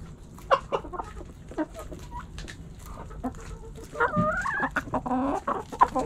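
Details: Hens and roosters in a backyard, pecking and scratching; irregular clucks and short croaky notes build into a more excited stretch of wavering, drawn calls toward the end, with a low steady background hum.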